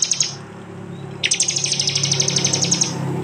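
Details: Prinia song from an East Java phone recording mixed into a training track: a few high clipped notes, then a long, fast run of sharp ticks lasting about two seconds over a steady low hum.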